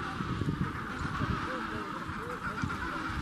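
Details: Adélie penguin colony panorama at Tay Head, Antarctica: a dense chorus of hoarse, honking and braying calls overlapping continuously over a low rumble of wind.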